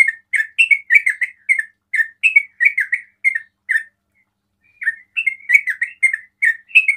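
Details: Sooty-headed bulbul delivering 'ropel' song said to make other bulbuls respond: a fast string of bright, bubbly chirps, a silence of about a second, then the chattering phrases resume.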